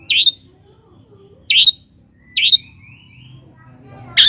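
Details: Long-tailed shrike lure for lazy singers: four sharp, harsh single notes spaced roughly a second apart, with a thin faint whistle between them and a low murmur behind.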